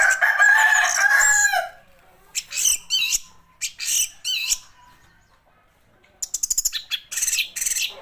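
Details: An orange-headed thrush opens with a loud, dense, harsh warble, then gives separated bursts of high chirps and squeaky whistles. A quick rattling series of clipped high notes closes the phrase.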